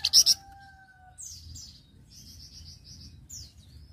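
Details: Flamboyan recorded to serve as a master for other birds: a short loud trilled burst opens, followed by soft falling whistles and a series of evenly repeated quiet high notes.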